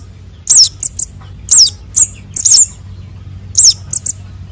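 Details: Young sunbirds (konin and sogon) calling, a sound used to lure birds: very high, thin downslurred squeaks, each followed by one or two short chips, repeated about once a second over a faint low hum.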